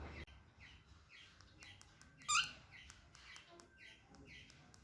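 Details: Small cockatiel walking for the first time indoors, giving soft, evenly repeated chirps with one brief, sharper screech in the middle, over a low room hum.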